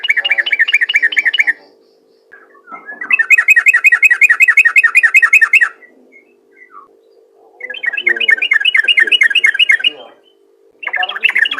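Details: Yellow-vented bulbul in energetic rapid ropel song, meant to prompt other bulbuls into song: three long bursts of fast, evenly repeated chirping notes separated by short silences, with a faint low hum underneath.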